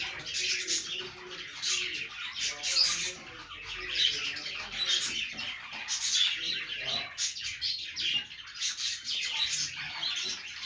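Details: Several playful budgerigars produce a long, unbroken chatter of buzzy warbles and thin whistled squeaks, swelling and fading irregularly throughout.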